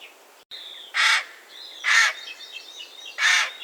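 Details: Common raven delivering three deep, hoarse croaks about a second apart, with a brief dropout near the start and soft whistled birdsong running underneath.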